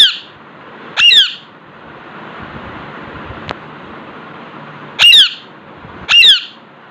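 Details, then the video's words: Alexandrine parakeet in a room before a mirror, making four short, raucous squawks in two pairs with a long quiet gap between, plus one faint click and steady low hum. "Alexander parakeet talking parrot"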